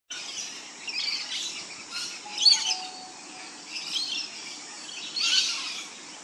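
A masked lapwing gives harsh, scratchy bursts of high chatter, repeated roughly every second, over a steady hiss of background noise.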